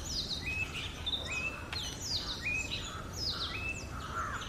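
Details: Oriental magpie-robin singing naturally, a sweet melody of clear whistled notes: high sliding phrases that drop to level tones, repeated in short bursts over a few seconds, with constant low background noise.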